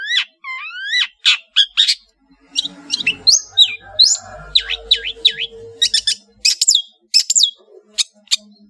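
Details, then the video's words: Long-tailed shrike, Madura bird, in a varied master song: rising and falling whistled slurs and sharp downward squeaks, mixed with rapid scratchy chatter, over a faint low hum. "SUARA burung CENDET GACOR master full variasi | ASLI cendet MADURA GACOR DOR"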